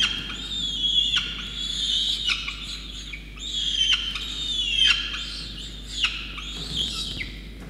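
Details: Begging of a Peregrine falcon chick fed a wet starling by its drenched parents at Orange, NSW, Australia, on 5 November 2021: long, strained, harmonic wails, sometimes sliding downward, given in close succession over steady low hum.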